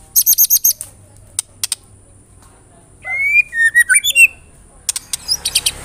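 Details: White-rumped shama (murai batu) lure phrase: a quick burst of high chips, a quiet gap, then clear fluting whistles wandering up and down, ending in sharp chatter.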